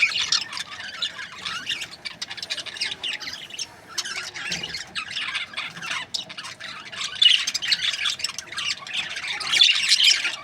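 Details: Several breeding pairs of budgerigars, Australian parrots, chattering together in a dense, continuous flock chorus of scratchy high chirps and squawks, swelling louder toward the end.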